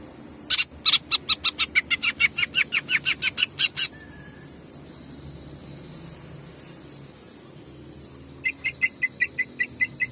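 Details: Greater green leafbird (cucak ijo) singing in the jamtrok style of rapid shooting notes, a training recording for caged birds: a fast burst of about fifteen sharp, evenly spaced chips, a pause with a faint whistle, then another quick chip series.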